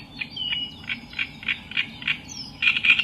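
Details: Reed warbler of the genus Acrocephalus singing: a chattering run of short harsh notes between about two and four kilothousand, repeated several times a second, with a brief whistled phrase and a steady low hum behind.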